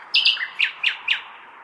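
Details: Nightingale in a big city on a May night, singing as though summoning mates: a loud buzzy opening note, then four short, sharply downslurred notes spaced evenly, with a steady city background hum.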